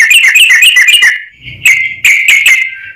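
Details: Sooty-headed bulbul used as a lure: a quick bubbly chatter, a brief pause, then several sharp whistled notes.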